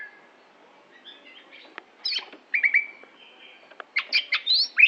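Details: Greater green leafbird from Aceh singing: soft faint notes at first, then loud whistled upslurs and chattering bursts toward the end.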